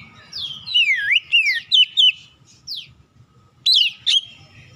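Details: Lure song of a magpie-robin meant to make other birds respond: bright swooping whistles that dip and rise in looping phrases, separated by short pauses, with a few sharp descending notes near the end.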